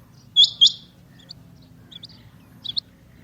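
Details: One loud, high, clipped double note from a female rain quail (chinga batair), followed by several fainter short chirps, with a steady low hum beneath.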